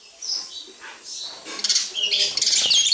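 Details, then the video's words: Sparrows around a house, giving a dense run of high, sharp chirps and tweets that build in loudness and overlap toward the end, with faint fluttering. "Every Day is Sparrow Day at our House"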